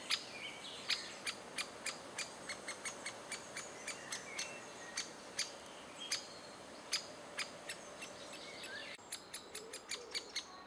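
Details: In June 2011, adult great spotted woodpeckers feeding chicks give a steady series of hard, abrupt kik calls, roughly two per second, over faint whistling of other birds.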